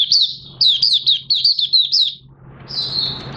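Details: Captive Oriental white-eye beginning to sing, its new white feathers almost fully pigmented, recorded 30 August 2022: a quick run of high, bright chirping twitters, then a sustained high thin warbled note, over a low steady indoor hum.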